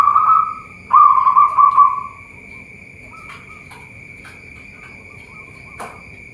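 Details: From a bird farm in Boyolali, Central Java, a local zebra dove sings two low rolling coos in the first two seconds, then falls nearly silent apart from a faint short coo and a few sharp clicks, with a steady high tone behind.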